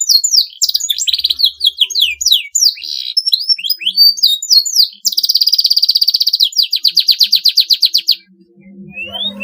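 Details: Canary in long, continuous song said to provoke rival birds into singing: rapid high chirps and swooping notes, then a dense buzzy trill and a fast pulsed roll, ending in a brief rising whistle with a low hum.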